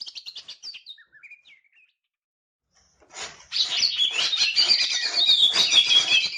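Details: Green leafbird singing while fanning its tail: a few soft, scattered whistled notes, a pause, then a loud, dense torrent of buzzy, chattering and whistled phrases from about three and a half seconds on.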